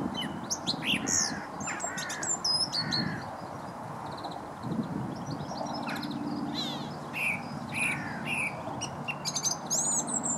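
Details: By the River Wey towpath at Stoke Lock, Guildford, a song thrush delivers varied whistled and chattering phrases, some repeated, mixed with harsher notes and a continuous low rumble of background noise.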